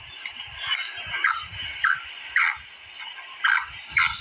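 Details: Female black francolin calling: short, slightly descending chirped notes, about seven in four seconds, spaced irregularly, over a steady high-pitched hiss with soft low thumps.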